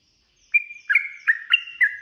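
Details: Sooty-headed bulbul fighting song, played as bait to get other bulbuls singing back. After a short silence, a held whistled note gives way to a few fluttering, liquid notes that slide down slightly.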